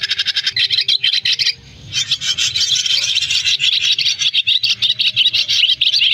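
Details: Flock-gathering roost calls of swiftlets for a trapping lure: rapid grating chatter, a short pause near the second mark, then a long dense run of buzzy twitters with faint low droning underneath.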